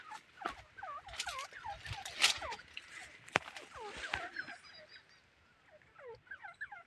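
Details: Captive female grey partridge calling as a decoy to lure wild partridges; repeated downward-curving, squeaky notes in quick runs, with clicks, knocks and other bird notes around them.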